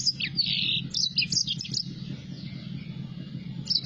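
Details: Yellow-fronted canary singing in full voice: quick twittering high warbled phrases of short buzzy and slurred notes over the first second and a half, a brief restart near the end, above a steady low hum.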